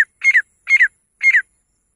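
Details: A female grey francolin gives three loud, harsh notes, each split into two quick pulses, spaced about half a second apart, against a silent background.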